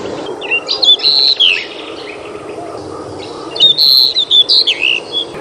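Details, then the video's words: A Pied Bushchat, a small bird found from eastern Java to Papua, recorded 21 June 2021, sings two bright, loud bursts of clear, high whistled and twittering phrases about a second each over a steady low hum. "Tubuhnya yang mungil tidak jadi penghalang suara kristal lantangnya."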